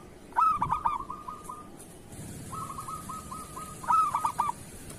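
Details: Indonesian local zebra dove giving kerot song used to teach moulting or silent doves: a stuttering coo burst opening the recording, a soft trilled run, then a second loud broken phrase near the end.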